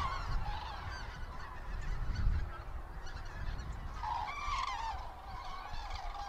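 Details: Migrating common cranes over Lahn-Dill-Kreis, Germany, 31 October 2022, in poor weather; scattered trumpeting calls, a louder rolling bugle near the end, over heavy low-pitched rumble.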